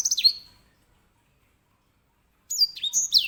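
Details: Loud-voiced grey singing finch song: a descending whistled sweep fading out, a long pause, then a fresh phrase of high clear whistles dropping in pitch with quick trills.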